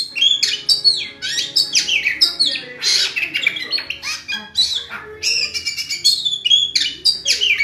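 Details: Oriental magpie-robin (kacer) in full, energetic song; a dense stream of high, sharp, downslurred whistles and quick chips with varied phrasing, almost without pause.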